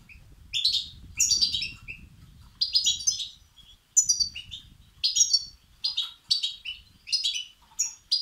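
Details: European goldfinch chicks begging, played to excite males: rapid, insistent bursts of high twittering chirps, closely spaced and slightly irregular, with low background noise early on.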